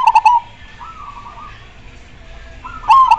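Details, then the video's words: Majapahit zebra dove cooing, its voice said to rouse other doves into answering: a staccato, clicking coo at the start and end, with a softer rolling, bubbling coo between. "Majapahit super gacor suara nya bikin pada emosi dan pada nyaut"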